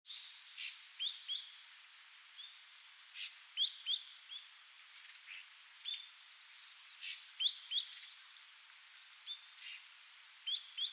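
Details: Wild ashy drongo on Yonaguni Island, Japan, a bird that stops over on migration, though not every year: quiet, sharp upslurred chips in close pairs, repeated at irregular intervals over a steady hiss, with brief buzzy high notes between them.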